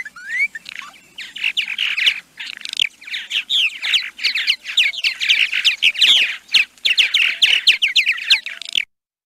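Purple Martins give a steady stream of rich, gurgling chirps and croaks, overlapping warbled notes tumbling along without pause, like a busy colony chattering.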